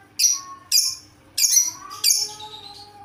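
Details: Lovebird giving an unusual call: four sharp, harsh squawks, each a sudden loud onset fading quickly, spaced about half a second apart. Faint lower tonal notes sound between them.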